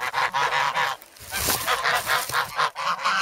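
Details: A hungry flock of grown goslings in the snow at Sloterpark, Amsterdam, 3 February, after bread and pecking at legs and hands. Camera: Sanyo SH1. Loud nasal honks crowd together, broken near the middle by a brief rough thump.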